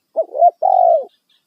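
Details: Spotted dove, loud single-kuk lure voice for attracting wild birds: one short coo phrase, a quick double note rising into a long, steady, slightly falling coo lasting about half a second, clean and clear.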